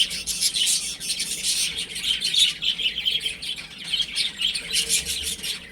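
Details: Chicks at home sending up a busy, continuous stream of high-pitched peeps, many birds calling at once, with light rustle underneath.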